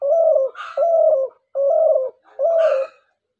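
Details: Hunters' lure call of a dove, heard as four loud, drawn-out low coos in steady succession, each a level hollow note with brief gaps between, recorded close and clear indoors.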